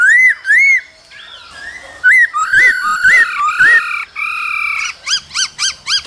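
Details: A male laughingthrush singing and dancing in the cold season, with female calls, gives looping clear whistles and long steady whistled tones, ending with five loud, evenly spaced, arched chirps.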